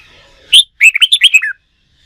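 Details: Red-whiskered bulbul, in training for singing contests, sings a short phrase: a sharp upslurred note then six or seven rapid, liquid whistles that wobble and fall at the end.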